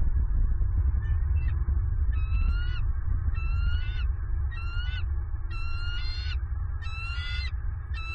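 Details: Bald eagle female claiming a fish delivered to the nest, Southwest Florida, 27 November 2022. Rising piping screams grow fuller and louder through the series, spaced near 0.8 seconds apart, while low wind rumble continues throughout.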